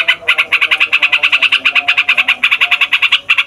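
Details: Noisy yellow-vented bulbul, kept as a fighter bird, pours out a long rolling song meant to rile other songbirds: an almost unbroken train of quick, nasal chattering notes with only a couple of short gaps.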